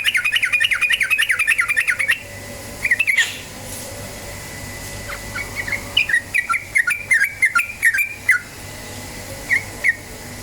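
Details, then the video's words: Yellow-vented bulbul lure song to make birds sing: a two-second rush of fast chattering notes, then a pause and scattered single liquid, downslurred notes spaced out over the rest. "PANCINGAN TRUCUKAN BAHAN agar cepat bunyi ROPEL"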